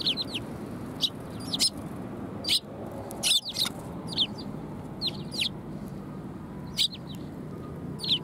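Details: Sparrows coming to be fed at a Tenmangu shrine, 18 December 2020: short sharp chirps, single or in quick pairs, scattered irregularly about once a second over a steady low background rumble.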